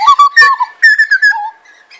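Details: A butcherbird family, mother, father and offspring, practising territorial calls on a warm spring afternoon in Sydney, gives a quick run of rich, fluted whistles, about eight short notes in two seconds, stepping higher and ending low.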